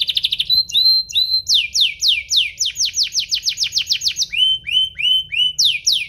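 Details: Domestic canary singing to provoke rival canaries: quick trill, a few slurred whistles, then a long run of rapid descending sweeps and lower rolling phrases, loud and varied.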